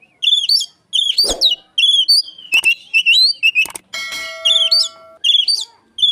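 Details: Oriental magpie-robin copying Asian pied starling, used to lure magpie-robins; rapid series of sharp, rising whistled notes repeated about twice a second, with a thump, some clicks and a brief steady electronic tone.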